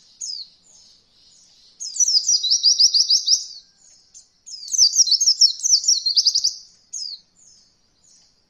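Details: Oriental white-eye performing roll voll for training beginner birds: high descending whistles introduce two long, rapid, buzzy trills of repeated chirps, each about two seconds, followed by scattered soft notes.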